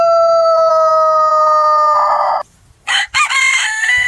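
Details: A rooster on a chicken farm gives a very loud, steady crow for more than two seconds that turns rough at the end. After a brief silence, another harsh, strained crow begins.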